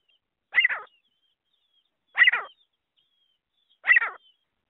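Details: Grey francolin call for luring birds when hunting: three separate harsh, clipped note clusters spaced under two seconds apart, with silence between them and no other sounds.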